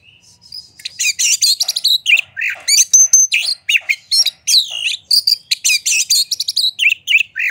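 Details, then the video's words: Oriental magpie-robin singing fervently with its tail fanned open, used as a lure to stir other magpie-robins into singing: a fast, rich stream of high whistles, sharp chips, trills and slurred notes, packed tightly with hardly a break. "Pancingan Suara Kacer Gacor Buka Ekor! Buat Kacer Lain Pasti Ikut Emosi Gacor Ngobra"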